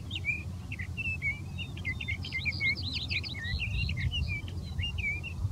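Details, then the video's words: Sage thrasher singing from dense big sagebrush near Silver City, Lewis and Clark County, Montana; a long, continuous warbled run of quick varied notes, slurred whistles and twittering phrases, over low steady rumble. "Sage thrasher singing from big sagebrush"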